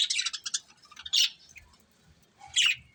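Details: Budgerigar breeding pair: a quick run of buzzy, high chirps, then a single sharp squeaky note, a pause, and one more loud scratchy call.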